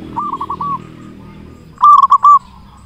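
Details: Local Indonesian zebra dove singing as a lure for others of its kind. A soft phrase of three rolling coos is followed by a louder, quick burst of four purring notes.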